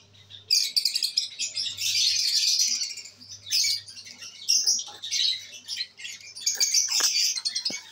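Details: Pet lovebirds, albino red-eyed, on 5/09/23: sustained shrill, grating chatter in long bursts, with sharp clicks and light tapping sounds in the later part, over a faint low hum.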